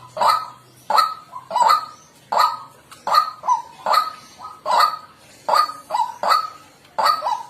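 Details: Wild white-breasted waterhen voice, a bird-luring recording: repeated coarse honking notes roughly every 0.7 seconds, many trailed by a brief lower second note, with a low hum at the start.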